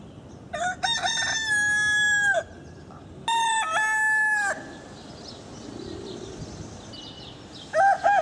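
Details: A rooster of one of several breeds crows twice in a row, each crow a stuttering start running into a long steady note that falls at the end, then a third crow begins as a hushed noisy background continues.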